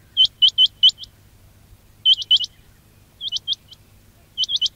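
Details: Quail calling for use in luring quails for trapping: sharp, high upswept notes given in quick bursts of four or five, with pauses of about a second between bursts, over a faint low hum.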